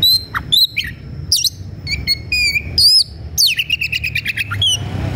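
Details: Excited Oriental magpie-robin in fluent song while searching for a rival: loud varied whistles, sweeping slurs and buzzy trills, ending in a fast rattling series of high notes, with faint low hum beneath.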